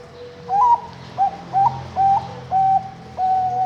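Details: Captive zebra dove bred at a farm in Kediri, East Java, Indonesia, hatched May 2023, gives a soft cooing phrase. A rising first note is followed by short clipped coos, then longer, steady notes ending in a sustained level coo.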